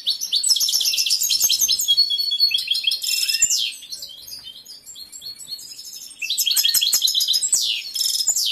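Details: Caged male European goldfinch in full breeding condition, a competition bird, singing two long bursts of rapid, high twittering and buzzy trills with a quieter pause between them.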